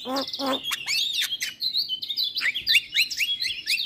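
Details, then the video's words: Javan myna song for prompting stressed or silent caged mynas: two low rising whistles, then a tumbling stream of high whistled slurs and chatter. "Pancingan Jalak MAcet Bunyi / Jalak Stres / Jalak Mabung / Jalak Bisu"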